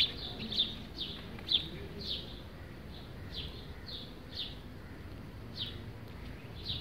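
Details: Sparrow chirping while bathing at a terracotta water feeder and bath; high, short, downward chirps repeated irregularly, about one every second, over steady low background noise.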